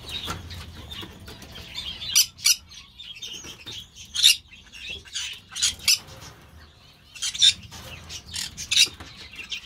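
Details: Green-cheeked parakeets at an amateur breeder's aviary: irregular loud, rasping squawks every second or two, separated by quieter scratchy chatter and pauses, with a low background hum.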